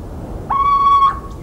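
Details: Little owl in the central French countryside, recorded 17 March 2019: one clear, steady whistled note held for about half a second, slightly rising at its close, against a constant low rumble.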